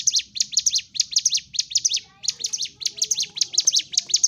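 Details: Sunda warbler's fighting-style song, used as therapy to rouse birds that have stopped singing: rapid bursts of thin, high, zigzag chirps, with a short break near two seconds before the bursts resume.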